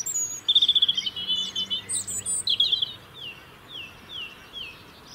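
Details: A European robin sings to maintain its winter territory in the UK. A high, even trill of rapid pulses comes first, then bright slurred whistles, fading into softer descending notes. The background is quiet.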